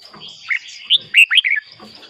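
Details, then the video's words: Brief red-whiskered bulbul phrase for luring wild birds or exciting caged ones: a few rich, slurred whistles rising and falling in quick succession, with a faint steady high whine behind. "เสียงนกกรงหัวจุก สำหรับต่อ หรือ เปิดให้นกคึก"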